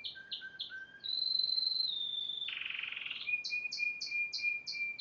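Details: Song of a yellow Spanish timbrado canary: a few low clipped notes, a long clear held whistle, a harsh buzzy rattle, then a series of sharp paired chips repeated about every third of a second.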